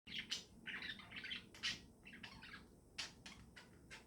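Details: Budgerigars chirping in the morning: bursts of high, scratchy twittering and short chirps, a few loud notes standing out, with gaps of quiet between phrases over a faint low background hum.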